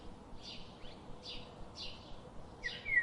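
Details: Birds that come to the garden every day give crisp descending chirps at a steady pace, ending with a louder, slightly rising note.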